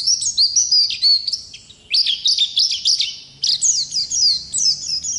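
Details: Long rolling 'ngerol' song of a wild 'ngalas' Oriental white-eye, recorded as a tutor track: three bursts of quick, thin, twisting whistles separated by brief pauses of about half a second.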